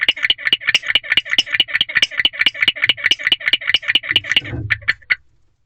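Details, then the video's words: Male barn owl chirping in a nest box at night (3 May 2023, 1:22 am); a fast run of raspy chirps at about 140 per minute ends with a soft rustle, a few last notes, then silence. "Mystery Chirping Male Barn Owl Continues."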